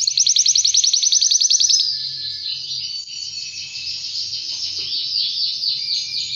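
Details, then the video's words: Ready-to-breed male Spanish Timbrado canary, aged two, half frill: a quick pulsing trill for about two seconds gives way to a smooth, continuous buzzy warble, a soft hum underneath. "Canary Singing Spanish timbrado"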